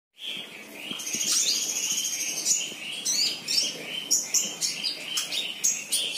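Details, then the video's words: A sunbird sings energetically: a continuous high, thin twittering run with sharp chips rising into shrill trills, over steady broadband hiss and rustling. "Kolibri trotol gacor"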